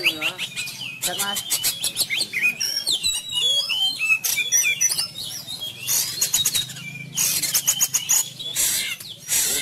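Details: Sumatran Oriental magpie-robin in fighting style, trained at home during pandemic restrictions: busy, varied high song with sliding whistles and harsh chatter, broken by bursts of loud rattling clicks and a low hum underneath.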